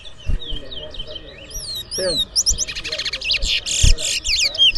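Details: A twa-twa, or large-billed seed-finch, sings in a bird race in New Amsterdam, Berbice, Guyana. Sweet, slurred whistles rise and fall, then a dense run of buzzy, rattling notes follows, with faint voices and thuds.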